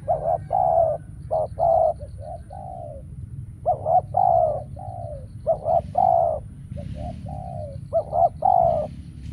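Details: Spotted dove used as a decoy during trapping, giving repeated coos: short low notes run together into phrases, each phrase of three to five coos, with pauses of about a second between phrases; steady low background hum.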